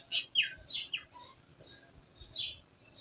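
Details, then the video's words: Village birds in a rural setting: several short, bright chirps and downward-sliding whistled notes, a few loud and some fainter, scattered over three seconds against a quiet low background. "Village Birds Chirping"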